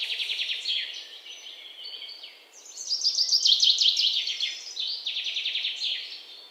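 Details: Wild birds chirping outdoors: dense, high-pitched trills and rapid chirp series that repeat several times a second, overlapping from more than one bird, with a brighter, louder burst in the middle and a steady faint background hiss.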